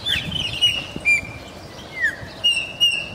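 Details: Chopi blackbird (Gnorimopsar chopi) in Santa Cruz de la Sierra, Bolivia, sings varied, melodious, loud whistled notes, some slurred and falling, others held, in short bursts about every half second over a quiet rural background.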